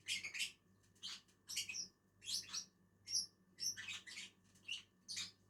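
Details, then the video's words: Shrill, scratchy chirps from two lovebirds feeding in a tree, sharp bursts coming roughly every half second in a steady chatter, with a soft low hum behind. "two inseparable Agapornis eating on a tree"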